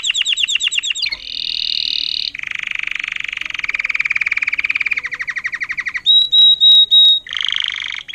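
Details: Song of a learned Timbrado canary, an agate topaz intensive yellow bird from 2018, strings together fast clicking trills, a dense low rolling passage, and a pulsed tour, then three loud clear whistles and a final buzzy roll.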